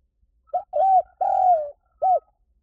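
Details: Spotted dove calling as a decoy to lure birds. A four-part cooing phrase: a short clipped note, a smooth longer coo, a long drawn-out slightly falling coo, then a short arched final note.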